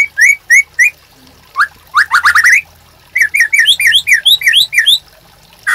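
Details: White-rumped shama master song for training caged birds: clear whistled notes sliding up near mid-high pitch, a quick run of rising notes, then a steady series of rapid rising whistled phrases repeated several per second.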